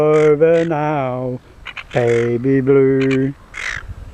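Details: A silver gull, one of a mating pair on Penguin Island off Shoalwater, Rockingham, gives two drawn-out, harsh, nasal calls, each about a second and a half long, with slight stepped shifts in pitch and brief clicks between.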